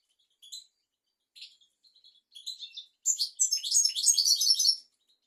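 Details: European goldfinch singing, a tutor song for teaching young goldfinches and canaries: scattered high chirps and short twitters build into a dense, fast, tinkling warble lasting about two seconds.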